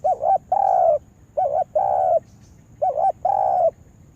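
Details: Spotted dove used as a lure bird for trapping in a yard repeats its coo three times, about every one and a half seconds, each a short wavering double note then a longer level coo, mellow and low.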